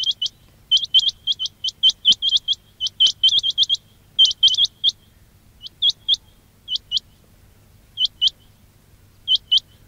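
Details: Quail calling, in a recording meant to lure quail for trapping. It opens with a dense run of quick, rising, whistled flicks, then thins to scattered pairs, with a low background drone.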